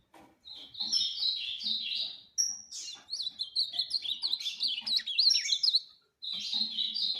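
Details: Ultramarine grosbeak song in several phrases of rich, fast, zigzagging whistles, one thin sustained note, and a final burst after a short gap.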